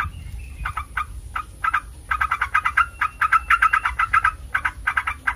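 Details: Yellow-vented bulbul recording used to set other bulbuls calling: scattered bubbly notes at first, building into a dense fast chatter of repeated short notes in the second half.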